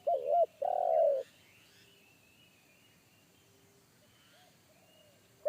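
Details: Spotted dove in the forest with a deep bass single-kuk voice. One loud phrase opens the recording: a quick double warble, then a long, steady coo. Quiet distant coos and thin high whistles follow, and another phrase begins at the end.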